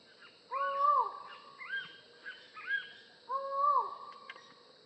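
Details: Collared forest falcon: two loud, hollow, drawn-out calls that end in a downward slur, with quick, higher bird notes heard between them.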